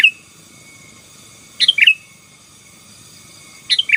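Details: Sooty-headed bulbul singing 'gacor' style to dominate rivals: two quick bubbly phrases of rising-then-falling chirps, separated by about two seconds of quiet except a thin constant high tone.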